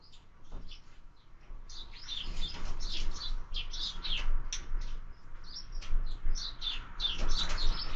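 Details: Sparrows at a feeder in the evening, 6 March 2024, chirping busily with a steady stream of short high chirps over a low rumbling background.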